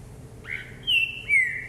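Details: Caged green-winged saltator showing vigour on a hopping perch: one loud whistled phrase of three clear notes, each sliding downward, the last long and falling, over a low steady hum.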